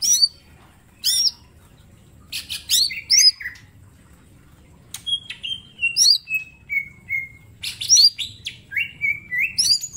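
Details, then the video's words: Mini green leafbird singing for a training master: scattered bright hooked whistles, then a descending chain of short slurred notes, closing with dense quick whistles and clicks. "Cucak ijo mini gacor full tembakan bongkar materi"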